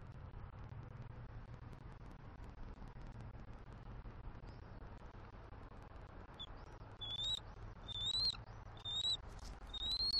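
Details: Squeaky vocals from a female bald eagle getting off her eggs at a Southwest Florida nest on a December morning, greeting her mate at shift change. Near-silent start, then five short rising high squeals in quick succession over steady low hum.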